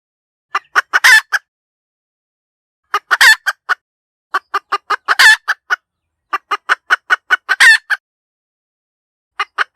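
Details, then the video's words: Clear hen cackling used as a decoy call: series of quick staccato clucks broken by loud, prolonged harsh squawks. It recurs in several bouts over ten seconds, with two lone clucks at the end. "เสียงไก่แม่กะต๋าก เสียงชัดสำลับต่อ suab poj qaib tsauj zoo cuab"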